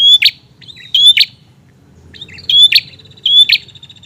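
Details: Persistent prinia song: four loud, high paired notes, each a sharp whistle run into a dry crackling snap, given in two pairs with a short quiet gap between them.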